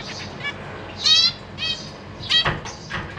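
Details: Captive zebra finches on 14 April 2023, a pair with three juveniles and three newly hatched young in a cage while parents feed the babies; two loud nasal, harmonic-rich calls at about one and two-and-a-half seconds over faint chatter.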